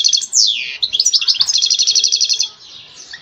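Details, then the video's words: European goldfinch mating song, meant to stimulate a female ready to breed: high, bright twittering with a falling sweep, then a fast run of repeated tinkling notes, fading into softer chatter at the end. "نداء التزاوج أفضل تغريد للحسون لتحفيز أي أنثى جاهزة للتزاوج"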